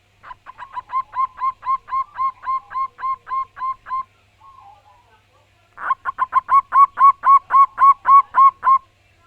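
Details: Local wild zebra dove in strong, far-carrying song. Two long runs of about fifteen evenly paced, bell-like coos each, with a short pause between them and a few soft notes in the gap.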